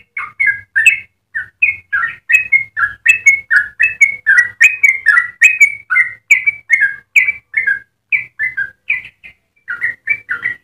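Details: Long, rapid warbling song of a very vocal Yellow-vented bulbul, played to tutor or lure other bulbuls: a steady stream of liquid, gurgling whistled phrases rising and falling, with brief pauses, clean and without other sounds.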